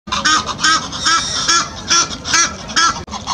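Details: Egyptian goose pair in a militant mood chasing another pair along the edge of the Serpentine; loud, harsh, nasal honks repeated rapidly, about two or three per second, in a steady rhythmic series.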